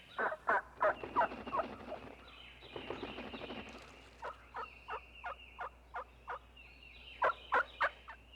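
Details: Turkey (Meleagris gallopavo), cluck.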